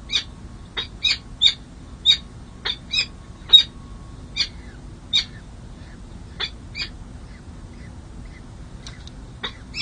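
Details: Peregrine falcon chicks at a city hall nest in San Jose, California, on 2 May 2024, during the second hatch and first feeding, with the father meeting the chicks; short sharp high-pitched calls repeated about twice per second, clean quiet background.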